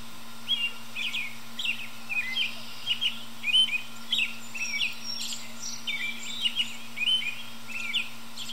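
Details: Perched high in a tree on an early evening, an American robin sings to other birds: a steady sequence of short, caroling chirped phrases, roughly one every half second, with a faint low hum throughout.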